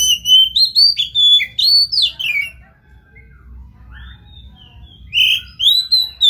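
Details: Energetic Oriental magpie-robin song meant to spur a silent bird to sing, with rapid varied whistles sweeping up and down in quick succession, a brief pause, then renewed loud whistled notes.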